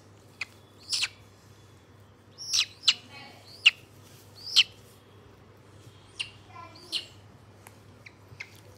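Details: White-bellied caique on 27 August 2022: a loose series of sharp, high squawks and clipped chirps, some in quick pairs, scattered irregularly over nearly nine seconds with a faint low hum beneath.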